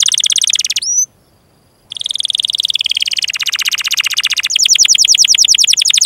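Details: Canary song recorded as a tutor for young canaries and birds that stopped singing: a very rapid, even, buzzy trill, broken by a brief high slurred note and a short silence, then speeding into sharper repeated pulses.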